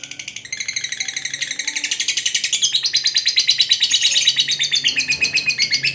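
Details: Pet lovebird for bird training, pouring out a continuous rapid chattering trill of buzzy, high pulses, steadily growing louder over six seconds.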